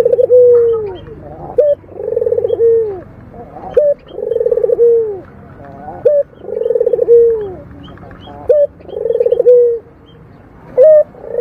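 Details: Local Barbary dove giving its purring 'mendengkur' coo: a short rising note, then a long, rolling, throaty coo falling at the end. The phrase repeats about every two and a half seconds with quiet pauses between, and there is no other clear sound.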